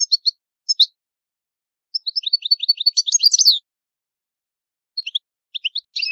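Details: Goldfinch in the Italian old-style song, giving scattered high chirps and then a short burst of rapid twittering and chattering notes, followed by more spaced single chirps.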